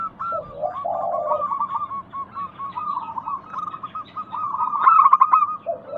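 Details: Local zebra doves used as a lure to prompt reluctant caged doves to sing. Soft, low rolling coos sit under dense, rapid, repeated higher chirping notes. A louder burst of chirps comes near the end.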